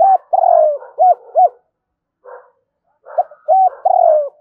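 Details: Close decoy spotted dove cooing in the morning, double-ending style: a long falling coo followed by two short ones, a soft breathy note, then another phrase ending in an extended coo.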